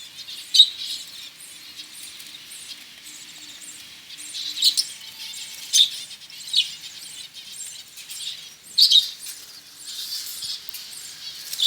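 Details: Caged budgerigars in a breeding colony, a steady high chattering twitter with sharper chirps every second or two, dense and overlapping from several birds.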